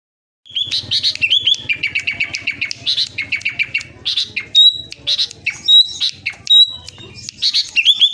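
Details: Sooty-headed bulbul, a kept songbird from Klaten, Central Java, singing loud and persistent: dense bursts of chattering notes, a fast run of repeated notes early on, then sharp whistled upslurs and clear flat whistles.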